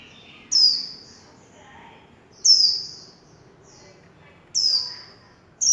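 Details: Warbling white-eye in líu chòe song, recorded without background noise: three high, clear notes that each slur downward, given about every two seconds, with faint softer twitters between them.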